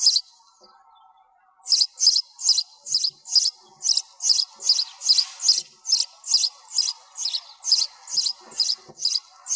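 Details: After a quiet second and a half, a sparrow launches into a brisk series of about twenty shrill chirps, a little over two per second, background noise removed.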